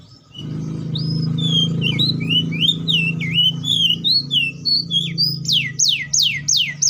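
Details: Atlantic canary song of twisting, looping whistled notes that turn into a rapid string of steep downslurs, heard over a steady low hum.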